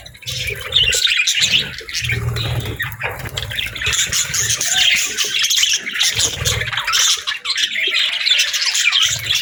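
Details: Budgerigars kept as pets chatter cheerfully, layered rapid chirps and scratchy warbles running on without a break, with soft low background rumbles coming and going.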